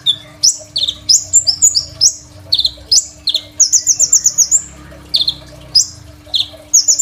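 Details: Crimson sunbird with a varied repertoire, used as a master song for young sunbirds: high buzzy down-slurs, clusters of thin chips and a fast rattling trill, in uneven bursts separated by short pauses.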